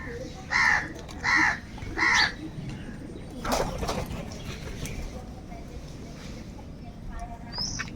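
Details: Crow calling for food: three loud, harsh caws in quick succession about a second apart, followed by quieter background noise with a faint high chirp near the end.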